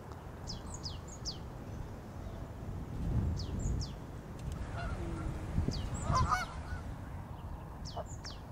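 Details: At a garden pond in Friesland, Netherlands, Canada geese stay year-round. Their honks come through mid-pitched and nasal near the end. Thin, high chirps from small birds repeat throughout over a low, steady rumble.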